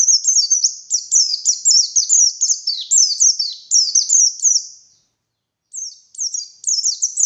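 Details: White-eye singing hard in the morning, a lure for wild forest white-eyes: about five seconds of continuous high, shrill, tumbling chirps, each note sliding downward, followed by a short break and a fresh run.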